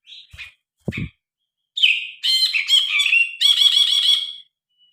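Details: Actively singing grey-cheeked bulbul, phone-recorded original sound for tutoring cage birds. A few short separate notes and low knocks precede a loud, varied phrase ending in rapid, rich, evenly repeated notes.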